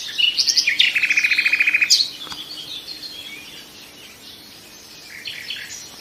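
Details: Nightingale sings a quick introductory flourish then a long rapid rattle of repeated notes, followed by softer distant warbling from other birds.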